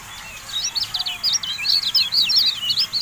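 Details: Javan white-eye song used as a training recording for cage birds: a rapid, unbroken twittering of high, sharp chirps and quick up-and-down trills, dense and continuous throughout, with a faint low background hum.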